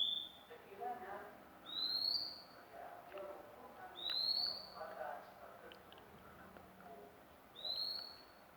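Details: Repeated sharp, upslurred whistles from a magpie-robin, each about half a second long and two to three seconds apart, over soft background chatter and hum.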